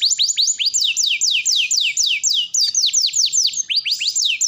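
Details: Long canary song meant to prompt canaries still learning their song: steady rows of bright, descending whistled sweeps, about five per second, broken by brief changes in note shape and occasional pauses.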